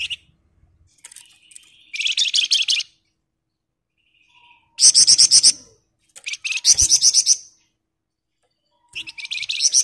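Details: Sunda bush warbler singing in close-packed 'ngebren' style: four separate bursts of loud, rapid buzzy rattling, each under a second, divided by silent gaps, with a soft faint whistle in between.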